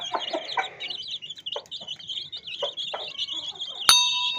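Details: Domestic chicken chicks with a hen chirp in a wavering high peep chorus over short, low clucks. Near the end a sudden bright electronic beep holds steady over the chicks.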